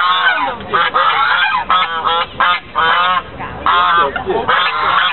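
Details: Harsh trumpeting honks from a group of white geese at a Fremont, California lake, 24 November 2013, delivered in separate loud bursts about half a second long with short quiet gaps.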